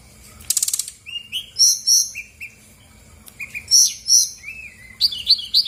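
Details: Brown-chested Jungle Flycatcher in full song, used as a lure to provoke reluctant birds, opening with a fast burst of clicks, then repeated rising whistles and sweet warbled phrases at irregular intervals.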